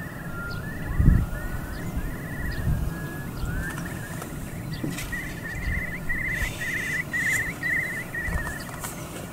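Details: Eurasian curlew (Numenius arquata) calling: a few rising whistles, then a long run of bubbling trilled notes about every second, over a steady low rumble of wind or distant traffic.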